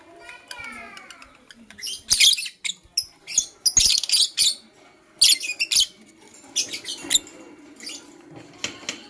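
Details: Blue Opaline and Parblue Euwing Opaline lovebirds chirping in the morning: a short descending whistle-like squeak opens, followed by dense bouts of harsh, shrill chattering chirps, with quieter squeaks near the end.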